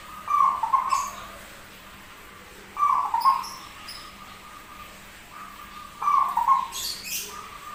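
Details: Rare zebra dove with a strange but frequent song: rolling, mid-pitched cooing phrases repeated about every three seconds, with faint trailing notes between them and a few brief high clicks near the end.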